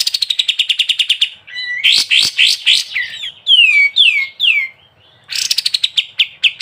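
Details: Prolific sooty-headed bulbul in ngebren style for training caged songbirds: a rapid trill opens, followed by sharp, varied, downward-sweeping whistled notes, then another quick rattling trill.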